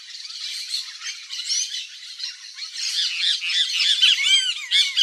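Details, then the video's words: Wild Brazilian yellow-faced parrot, harsh squawks building from a softer chatter to louder, grating calls, mixed with quick high whistled arcs toward the end. "YELLOW-FACED PARROT Singing"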